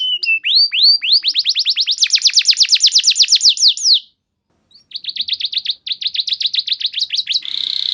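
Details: Canary lure song meant to make other canaries sing; rising swoops lead into a rapid run of repeated sweeps, a short pause, then another fast trill ending in a buzz.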